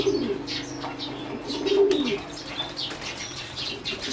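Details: Caged competition-bred singing zebra dove in a flight cage, 30 April 2014, giving short bursts of low, rolling, pulsed cooing, partly masked by sharp chirps from other birds and wing flaps.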